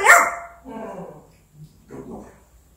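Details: African grey parrot starts with a loud, bright, harmonic squawk-like word, followed by two softer, lower, rough mumbled phrases.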